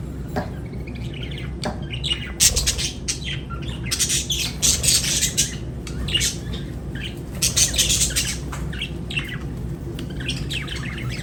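A lovebird keeps up shrill, scratchy chirps and squawks in uneven bursts, a few every second, over a steady low indoor hum.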